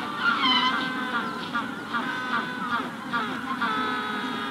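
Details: Magellanic penguins at a colony where eggs are hatching give dense, overlapping nasal braying calls with a steady chorus texture. A Rufous-collared Sparrow sings faintly in the background.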